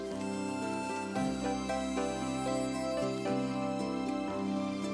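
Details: Soft, tender instrumental music with sustained tones and gentle notes plays throughout, and no animal voices are present.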